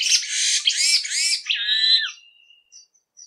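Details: Jamaican Oriole giving loud, harsh, buzzy notes with stacked overtones, followed by a falling nasal note and a faint thin whistle trailing off.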